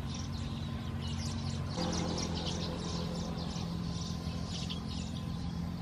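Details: A juvenile Siamese pied myna follows its mother begging for food at Khao Yoi, Phetchaburi, Thailand, 18 August 2020, giving rapid, harsh, high chirps, several a second, over a steady low engine-like hum.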